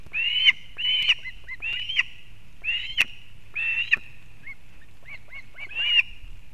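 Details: Osprey female delivering fish to a chick at a nest in Kurzeme, Latvia, late August 2024: loud drawn-out whistled squeals about every half second, mixed with short faint chips and sharp clicks.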